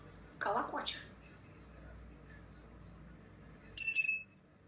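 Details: Grey parrot talking to itself: a short murmured speech-like phrase, then after a long silence one loud, clear whistled note with stacked overtones lasting about half a second.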